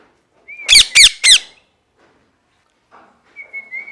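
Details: A brief thin whistle, then three quick, loud, grating parrot screeches, followed by quiet and a faint wavering whistle at the end.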